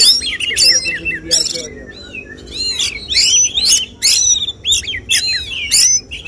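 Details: Oriental magpie-robin singing at a songbird contest, its song targeted by judges: loud whistled and warbled phrases with sharp rising and falling notes, in bursts about every half second, over a low murmur of people.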